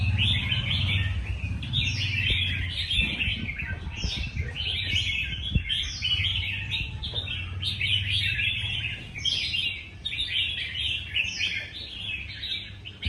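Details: Singing contest of red-whiskered bulbuls: repeated cheerful phrases, each closing with a high upward flick, given in quick succession by several birds over a low steady rumble.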